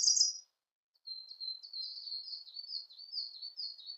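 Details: Siberian blue robin singing: a brief loud burst at the start, a short pause, then a long string of soft, high, twittering notes.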